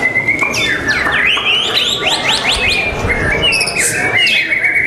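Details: A white-rumped shama at a song contest on 12 December 2021 pours out a rich, varied song of loud whistles, slurred rising and falling notes and quick trills over a steady background hiss.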